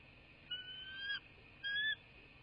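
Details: Bald eagle calling at a nest in a quaint southwest Florida landscape, picked up by a nest camera on 2 January 2024 at 18:07: two drawn-out thin whistled notes, the second shorter, over a steady high background hum.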